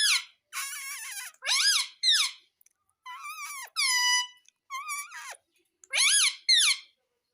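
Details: Pet ring-necked parrot, green, indoors in a small room, making harmonic squawking and word-like mimicked calls in bursts, some rising then falling, about every second, loud and high-pitched.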